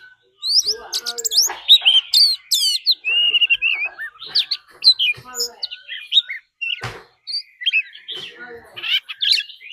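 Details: Decoy Oriental magpie-robin giving a fighting song together with a wild female call: a continuous jumble of high whistles, arched notes and scratchy chatter, energetic and irregular, with brief gaps.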